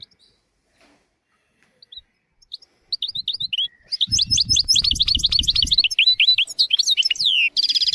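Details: Tutor song of a European goldfinch for training young goldfinches and canaries: scattered soft chirps at first, then a building stream of rapid twittering notes with a low rattling buzz underneath, ending in a dense trill.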